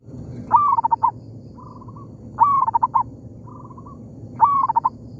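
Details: Local zebra dove in an oil palm plantation, exchanging calls with a decoy bird: three loud cooing phrases about two seconds apart, each a rising slurred note then a quick stutter of short coos, with fainter, softer coo phrases in between.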